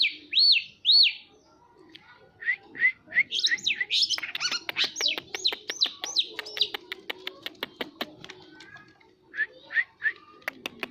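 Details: Long-tailed shrike singing: a pair of loud ringing whistles, then scratchy warbling and a run of arched notes, followed by sharp repeated clicking taps and a few short whistled phrases.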